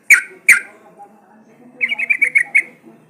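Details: Sooty-headed bulbul as a lure for singing birds: two loud, abrupt notes, then a quick run of about seven lighter, evenly pitched notes in a rapid series.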